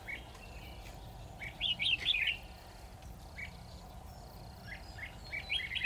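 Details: Decoy red-whiskered bulbul singing at a trap meant for a single cautious wild bird; a loud cluster of chirpy, warbling notes in the middle, then fainter scattered phrases over low rumbling noise.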